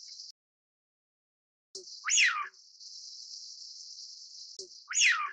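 Two loud, breathy whistles from a Eurasian wigeon, each dropping sharply in pitch, about three seconds apart, over a steady high hiss.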